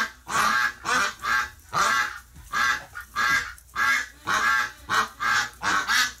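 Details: A duck flock upset after one member died in hospital, November 30, 2018: a rapid string of about thirteen harsh, honking quacks, some run together in pairs, loud throughout.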